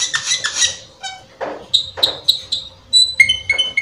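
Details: Cucak keling lure song with full fill phrases, meant to get other cucak keling singing: scratchy harsh notes, soft low buzzes, then clear whistled chips and stepped whistles, roughly three to four notes per second.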